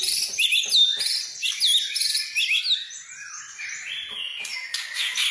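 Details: White-rumped shama stimulation song packed with varied phrases: dense, high twittering and fast chattering notes, with quick upslurred whistles and a dry rattle near the end.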